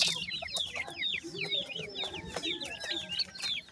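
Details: Grey francolin chicks, recently hatched, produce a lively run of high, slurred peeps, nearly nonstop across a few seconds, over faint low-pitched clucking.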